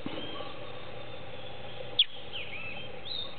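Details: Fledgling Creamy-bellied thrush, freshly out of the nest and perched in branches of a hedge in the late afternoon, apparently calling its family: a single piercing, high, descending chirp midway, with soft distant bird calls behind.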